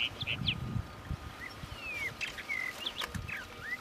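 A juvenile rufous-tailed rock thrush gives short, thin whistled notes, some slurred downward, scattered irregularly over a few seconds, with low rumbling wind noise beneath.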